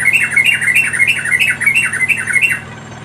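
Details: Wild yellow-vented bulbul chicks begging while a parent feeds them: a rapid, steady run of harsh, squawky notes, each dipping then rising, about three per second for two and a half seconds, then quiet.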